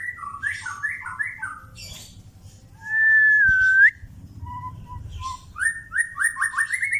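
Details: Murai batu (White-rumped shama), Pastol type, heard during mental training. Chattering whistled notes lead into a long, loud, steady whistle that rises at the end, followed by soft notes and a fast rising whistled series. Low hum throughout.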